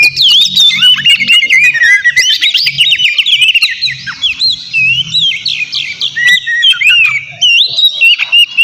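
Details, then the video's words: Oriental magpie-robin in full, noisy song, used as a lure to provoke rival magpie-robins into answering: a dense, fast stream of high whistles, slurred trills and chattering notes, almost unbroken, over a faint low hum. "Terapi suara KACER GACOR Ribut buat PANCINGAN KACER Lawan Langsung NYAUT"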